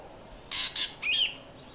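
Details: Before sunrise, a Fork-tailed drongo imitates a Dark-capped Bulbul's alarm. Two short rasping bursts are followed by a clear whistled note that rises and then falls.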